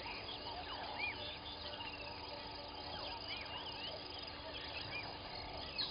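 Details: Southern masked weavers at their nests by Gowrie dam waterhole, Djuma Game Reserve, Sabi Sand, South Africa, 06:35, chatter in a busy, buzzy chorus sprinkled with short arched whistles, unbroken, over a faint steady electrical hum.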